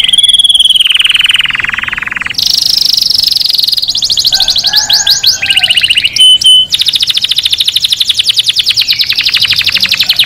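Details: Singing canary, played to excite males into song and mating and to teach young birds: a sequence of sustained tours, with steady high trills, abrupt pitch shifts and a fast pulsing roll at the end.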